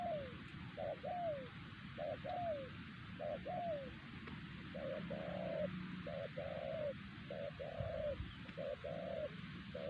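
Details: Wild spotted dove, the strongest caller at the site, answered by a luring decoy bird before capture: soft, hollow two- and three-note coos with a falling final note, repeated about every second, under heavy steady hiss and rumble.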